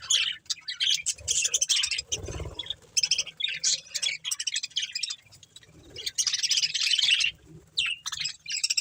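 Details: Budgies from a breeding pair and their family, producing irregular bursts of shrill chirps and scratchy warbles, with one long dense chattering stretch near the end and quieter pauses between phrases.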